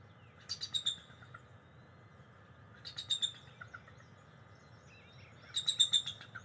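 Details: Bald eagle pair perched beside their nest, morning of 22 July 2023, trilling back and forth in three bursts of high, thin, stuttering chitters a few seconds apart, over soft low hum.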